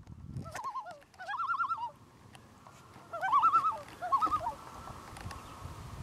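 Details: A family of three wild loons on Fawn Lake in the Adirondacks, recorded from a kayak, gives quavering, wavering calls in two short bursts over a murmur of background noise.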